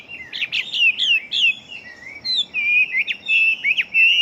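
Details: Fighting Chinese hwamei of large build, an eager singer, delivering loud rich whistles in quick bursts. Rising and falling slurred notes and sharp upward flicks repeat almost continuously.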